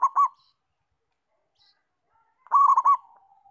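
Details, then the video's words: Local zebra dove singing: a clipped coo at the start, a long quiet gap, then one full rolling phrase of bubbling coos that fades into a low trailing note. "Perkutut Lokal Gacor"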